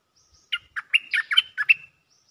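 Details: A cream-vented bulbul's mating call: a lively phrase of about eight loud, liquid bubbling notes delivered in under one and a half seconds.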